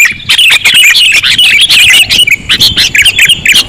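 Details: Sooty-headed bulbul lure sound, presented as very sensitive: loud, choppy chirps and squeaky twisting notes in clustered bursts, with short breaks between groups.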